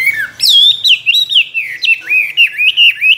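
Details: Trained caged Chinese hwamei, a two-year cage bird imitating many forest voices, sings rich loud whistles: a low note, then a sharp high upslur and a stream of warbling phrases, ending in short repeated whistled notes.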